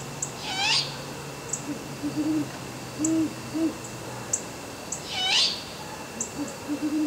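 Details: Great horned owls calling to each other in heavy twilight on November 22, 2010: short series of deep, soft hoots in pairs and triplets, interrupted by two loud, high, downward-sweeping squeals and scattered faint clicks.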